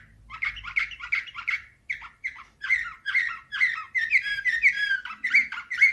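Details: A canary performs nightingale-type Slavujar song, recorded 2024: a dense run of rapid chirps and trills, rising into clear whistled and rolling phrases, with no background noise.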